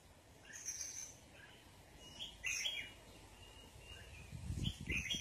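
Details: Red-whiskered bulbul sunbathing, singing brief warbled notes that rise into a louder twisting phrase midway, with thin high whistles above and low thumping noise near the end.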